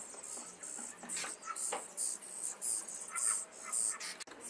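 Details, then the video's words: Caged young common starlings in Liepāja, Latvia, recorded May 2024, give loud wheezy, screechy high calls in a broken series, some with lower rasping parts, plus a brief click near the end and city noise. "MĀJAS STRAZDI / Sturnus vulgaris / būrī. Jaunie putni."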